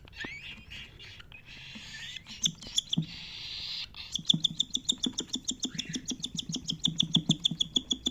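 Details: Cockatiel chirping: after a few seconds of rustling, a rapid, even series of short, sharp, high chirps, roughly three per second, continuing to the end over soft thumping.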